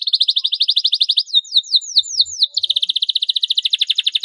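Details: Canary in full song, meant to stimulate other canaries into singing: a rapid pulsing trill, then looping downward whistled sweeps, then another long fast rattling trill.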